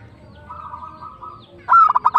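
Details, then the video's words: Local zebra dove singing actively in the tumbak cucukan style: a soft purring coo, then a loud phrase of five quick staccato notes starting on a clear whistled note, with fainter cooing in the background. "PERKUTUT LOKAL GACOR TUMBAK CUCUKAN ASLI"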